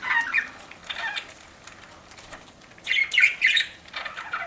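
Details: Budgerigar chirping while eating: two bursts of scratchy chirps at the start and again near the end, with a quieter stretch of soft rustling between.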